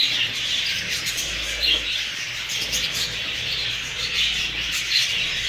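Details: Several newly acquired Hogoromo budgerigars keep up steady high-pitched twittering and chirping, many birds overlapping with short louder squawks every second or two over a low, constant background hum.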